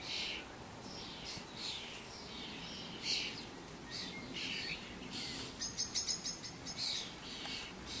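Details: A flock of common starlings wandering about, uttering scratchy, buzzy chirps at irregular intervals, then a fast run of dry clicking and rattling notes near the end over faint background noise.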